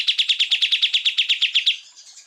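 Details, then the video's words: Cucak ijo (greater green leafbird) tutor song for training other birds: a quick string of about fifteen buzzy notes, evenly paced, fading into soft high twitters. "MASTERAN cucak ijo full tembakan"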